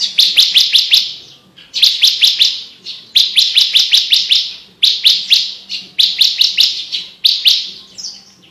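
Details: Javan bush lark singing clearly for training competition birds, bursts of four to six rapid sharp high chirps repeated about every second and a half, with a faint low hum beneath.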